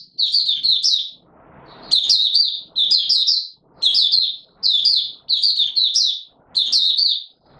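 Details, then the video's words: Buka sing by a white-eye in warm humid weather, 20 March 2022: clusters of rapid, high, sweet chirping notes in short bursts, with one brief soft rustle near the start and faint low background sounds. "Mata Puteh Raja Video 1 buka sing"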